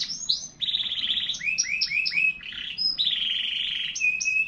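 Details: Domestic canary singing quick rolled trills, a row of rising chirps, and a long steady buzzy trill ending in a level whistled note.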